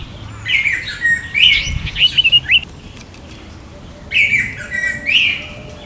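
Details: Orange-headed thrush in India: short bursts of bright, slurred and warbled whistled notes, a quick stuttering series in the middle, then a pause before two more rich phrases, with faint low background hum.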